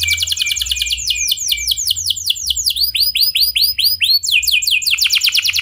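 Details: Canary in vigorous rolling song used to prompt others to sing: rapid high trills of repeated notes shifting into slower, looping swept notes, then back into a fast roll.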